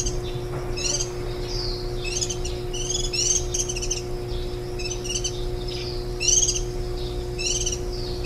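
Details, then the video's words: Warbling white-eye tending nestlings at the nest, 23 July 2018, the day before fledging: a lively run of repeated high, sharp chirps and short twitters, each about a second apart, with a low steady hum in the background. "2018 綠繡眼-青笛仔 育雛 錄音"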